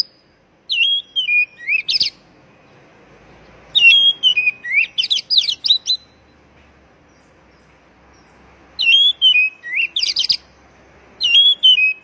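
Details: Oriental magpie-robin call to rouse stressed young birds that stopped singing: four bursts, each a falling whistle followed by rapid, scratchy, jumping notes, separated by quiet gaps of a few seconds.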